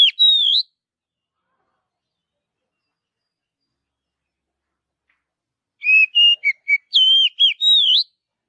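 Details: Wild Oriental magpie-robin in the forest: a rising whistle, five quiet seconds, then a full song phrase of clear stepped whistles with looping, upslurred high notes.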